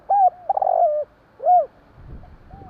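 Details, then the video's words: Spotted dove calling at night: a short arched coo, then a rolling, burred coo that drops at its end, then another clear arched coo. A low rumble follows. "burung tekukur bunyi malam hari"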